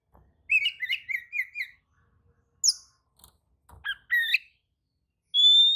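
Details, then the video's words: Oriental magpie-robin responding to another bird's song: a rapid series of short chirped notes, then a gap, isolated sharp whistles and a long, steady, high pure whistle at the end. "kacer manasaja jelas ikut nyaut emosi dengrar kicau kacer seperti kacer ini"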